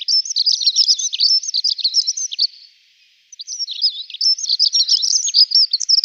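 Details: Dunnock giving a rapid, high-pitched warbling jingle of tumbling notes, two long bursts separated by a short silence, clear and close with no other sounds.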